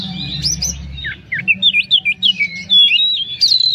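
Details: Oriental magpie-robin, a prize-winning caged songbird from Indonesia's Inhu Kuansing area, delivering packed 'full isian' phrases: quick rising and falling whistled slurs strung together, ending in a clear sustained whistle, over faint low humming.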